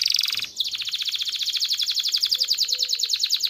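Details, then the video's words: Mating-stimulation canary song: a buzzy high trill, a brief gap, then a long, steady, fast-pulsed rolling trill. "تغريد كناري لتدريب ذكور واناث الكناري على التزاوج. صوت كناري لتزوج .. Canary singing"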